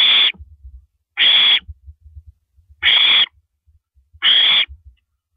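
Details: Owl filmed at night, 1:27 AM, April 9, 2012, while a female downs a rabbit; four loud hissing shrieks about every one and a half seconds, with a low rumble of thumps between them.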